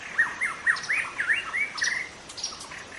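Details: Juvenile white-rumped shama from the forest delivering a fast string of looping, slurred whistles, each rising then falling, a few per half-second, followed by softer high notes.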